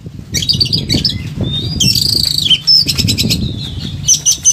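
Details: Excited Oriental magpie-robin delivering a dense medley used as a training song: scratchy buzzy bursts, a long harsh rasp, short whistled glides and clicking notes, with wing flutters and low rumbling beneath.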